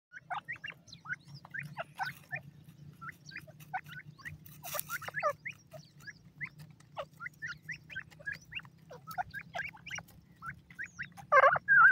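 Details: Grey francolin chicks calling: many short, high chirps and peeps rising and falling in quick irregular series, with a steady low hum underneath and a louder squeal near the end.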